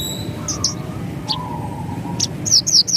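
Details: Javan bush lark tutor recording: a few spaced high chirps, ending in a quick burst of loud, sharp descending notes, with a low steady hum beneath.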